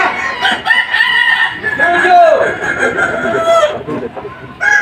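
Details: Kukuak Balenggek rooster crowing in the Boko class final, the highest class of a 2025 crowing contest in Sawahlunto, West Sumatra. The breed's terraced crow has at least five steps. One long drawn crow arches and falls over crowd chatter, with other roosters crowing nearby.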